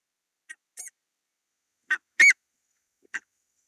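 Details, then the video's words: Buff-necked ibis giving five short, harsh, nasal honks at uneven intervals, the fourth loudest, with quiet pauses between. "Buff-necked Ibis: Beautiful Footages and Their Unique Calls"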